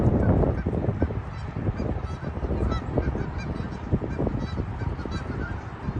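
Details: A flock of Canada geese on a half-frozen lake in winter honks in a dense, overlapping chorus of nasal calls, with steady low rumbling noise underneath.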